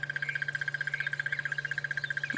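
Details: Crested barbet on a sunrise safari drive, 12 November 2016, giving a fast, even trill of about twenty pulses per second at mid pitch, sustained beyond one breath by circular breathing; steady low hum underneath.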